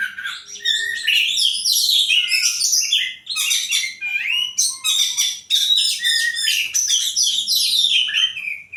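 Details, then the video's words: Common tailorbird singing vigorously at night, a dense, continuous stream of sharp, varied chirps and quick slurred notes, high-pitched and tumbling without pause. "poci gacor di trek malam hari"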